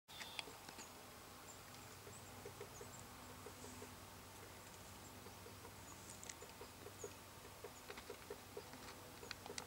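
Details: A great spotted woodpecker taps on a tree in soft, irregular knocks, sometimes in quick pairs, over a faint hiss of background noise.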